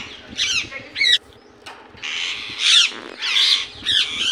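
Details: Indian ringneck parakeet calling in its natural voice, a run of harsh, grating screeches, some drawn out and overlapping, others clipped, with brief pauses between bursts.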